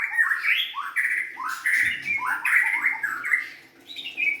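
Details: Young forest-caught white-rumped shama singing a close, full series of warbling whistles, rising and falling slides run together with barely a pause.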